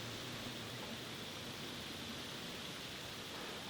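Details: Steady, even rushing noise like a stream or waterfall, with no animal voices.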